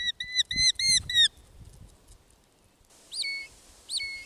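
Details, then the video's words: Common buzzard (Buteo buteo) giving two high, drawn-out mewing calls about a second apart, each sliding down then levelling off, after a quick run of clipped notes. "Канюк / common buzzard (Buteo buteo)"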